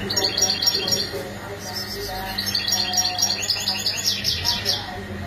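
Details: European goldfinch mating calls used to stimulate males into singing: dense, rapid, high twittering chirps, about four each second. Steady low tonal background sounds run beneath the calls.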